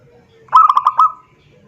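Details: One zebra dove phrase given to call a rival: a burst of five rapid, evenly pitched pulsed notes with a slight rise on the last.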